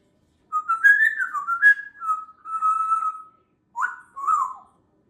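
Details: Pet African grey parrot whistling part of the 1812 Overture indoors in the evening: a run of mellow, warbling whistled notes with a long held tone, then two short swooping whistles after a pause.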